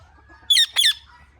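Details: Indian ringneck parrot chirping naturally: two loud, harsh, squeaky chirps in quick succession, each about a tenth of a second long, with a short gap between. No music, and the background is otherwise quiet.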